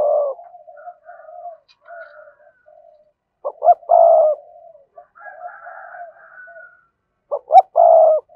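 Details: Spotted dove cooing in its full sequence, meant to excite newly caught birds. Soft low murmured notes alternate with two bursts of a quick double note followed by a long, steady coo.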